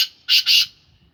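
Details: Two loud, rasping notes from a kept black francolin of Sindhi stock, delivered close together and ending abruptly into near silence.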